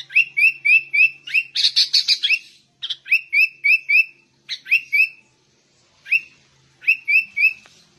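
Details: Sooty-headed bulbul pouring out ngegaruda song: quick phrases of clear, slightly descending whistled notes repeated in short rows, broken by a rough chattering burst and brief silent gaps.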